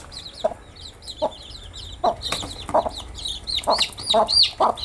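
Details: Newly hatched chicks chirping loudly, high descending peeps growing busier and more overlapping, with dull thumps and rustling increasing in the second half.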